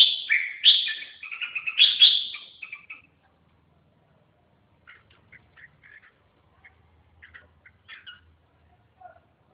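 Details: Red-whiskered bulbul delivering three seconds of loud, rich warbling phrases, followed by scattered faint, short chirps over near silence.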